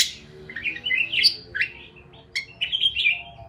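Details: A sharp click opens a brief run of twittering parakeet chirps. A short pause follows before a final burst of slurred, squeaky notes.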